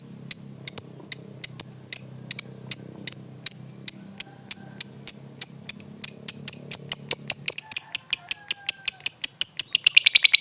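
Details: Competition lovebird song: clear, piercing high chirps repeated at a steady beat, gradually quickening until they run together into a fast shrill trill near the end; faint low hum beneath the first half.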